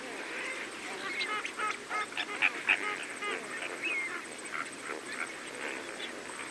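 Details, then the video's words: Several greater flamingos feeding alongside lesser flamingos, recorded at medium-close range: a busy stream of nasal, goose-like honks, many overlapping and irregular, with a few louder bursts midway and a spur-winged goose also in the mix. "Greater Flamingo / MCU Calls From Several Birds Feeding With Lesser Flamingos"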